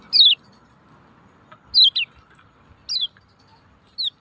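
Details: Lemon-bellied white-eye 'ciak ciak' call used to coax silent birds into song: high, downslurred chirps, some single and some in quick pairs, repeated roughly once a second against faint background hum.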